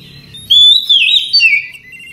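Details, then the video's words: Oriental magpie-robin singing in the night, easy chatter for training other magpie-robins: a pure rising whistle flows into a wavering, slurred phrase and drifts downward in three connected bursts. "Ocehan Santai Di malam Hari Cocok Untuk Terapi Segala Jenis Kacer"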